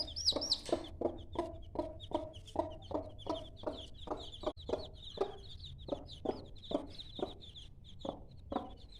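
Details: Hen with five-day-old chicks, clucking in a regular low pulse around three times per second while the chicks give high, thin peeps; a steady low hum runs beneath.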